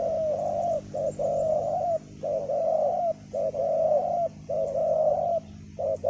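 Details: Decoy spotted dove on a ground clearing, calling to wild doves with a big voice. Rich low coos run in rhythmic couplets, a clipped note followed by a longer slurred one, repeated almost without pause.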